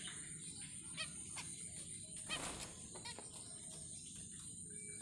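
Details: A pair of zebra finches in a minimalist aviary with plastic plants at night; three short, nasal, harmonic-rich calls spaced about a second apart, over a steady high-pitched hiss and low background rumble.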